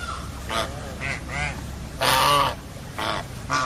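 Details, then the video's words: Geese call: rasping, nasal honks of varied length, one long loud blaring honk in the middle among shorter ones, spaced irregularly over a low background hum. "Funny GEESE SOUND / Suara Binatang Lucu ANGSA Soang"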